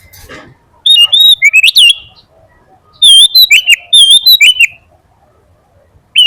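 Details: Sooty-headed bulbul in vigorous song, a tutor recording for training and calling other bulbuls: short bursts of clear, bubbling whistled notes with quick upward and downward inflections, separated by brief pauses, with faint background rustling.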